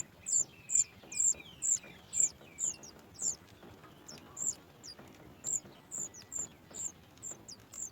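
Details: Nestling Sooty chat begging when its mother arrives with food, giving a run of sharp, very high squeaky notes, each with a short downslurred tail, repeated roughly every half second and easing slightly in loudness toward the end.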